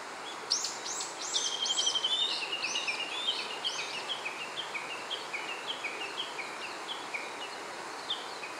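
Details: A male Siberian thrush on Mount Kikusui, recorded about 10 m away across a river on a thinly overcast day, gives loud, high, arched whistles, then a fading run of quick, slightly descending chirps over a faint outdoor hiss.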